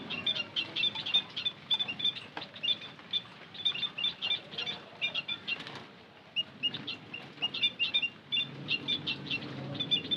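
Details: Flocking white-headed munias in a lure recording: busy overlapping high chirps, a brief lull past the middle, then chatter resuming with low background hum.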